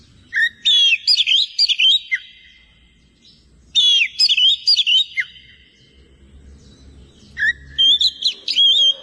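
A leafbird pours out loud, rich phrases of whistles, slurred notes and chattering trills in three bursts a few seconds apart, with quiet low hum between.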